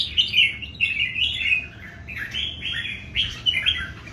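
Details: Three old wild-caught red-whiskered bulbuls compete in song, pouring out sweet, slurred warbling notes that dip and climb in quick succession, with low rumbling noise underneath.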